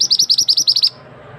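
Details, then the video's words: Male scarlet-headed flowerpecker used as a forest trapping lure, calling loudly: about nine rapid, very high, sharp chips already underway at the start, stopping abruptly and leaving faint background noise. "Suara pikat burung mandi darah / mantenan jantan"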